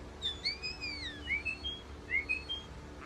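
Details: European starling singing long sliding whistles that rise and fall, some doubled in pitch, followed by short higher whistled notes, with a quiet steady hum behind.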